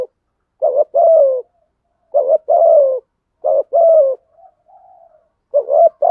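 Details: Spotted dove used as a decoy bird to lure wild doves for trapping, giving its urging coo: short rough note then a longer falling mellow coo, repeated four times about every 1.5 seconds, with faint soft murmurs between, no other sounds.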